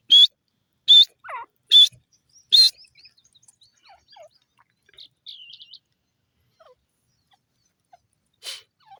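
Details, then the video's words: Grey francolin calling: four loud, sharp, high-pitched bursts about every 0.8 seconds, with a lower wavering note between them. Then faint scattered chirps and softer notes, and a final fainter burst near the end. "teetar bird voice,teeter awaz,teeter sound"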